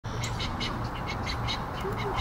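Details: Baby egrets with their parents at a rookery in Venice, Florida give rapid, harsh, rattling begging calls, about four a second, over a steady low rumble of wind or distant traffic.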